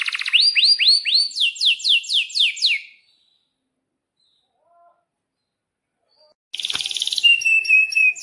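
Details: Energetic canary in full song, used as a tutor for young birds learning to sing: a fast series of rising sweeping notes repeated about twice a second, a pause of silence, then a bright sustained rolling trill.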